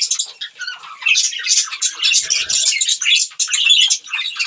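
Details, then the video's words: Budgies feeding on green food keep up a fast, scratchy twitter of high squeaks and warbles in short bursts, with a brief soft low tone near the middle. "budgies green food eating | bird chirping sound"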